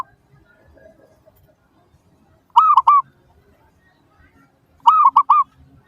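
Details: Zebra dove singing as a lure for other doves to reply, giving two phrases of three rich, ringing coos a little over two seconds apart against near silence.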